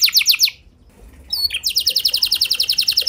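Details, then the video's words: Canary lure song to get other canaries singing: a short rapid burst, a near-silent gap, a rising note, then a fast even trill of high repeated notes. "Pancingan Ampuh Buat Kenari Kondisi Apapun! Bakal Langsung Nyaut Ikut GACOR Panjang"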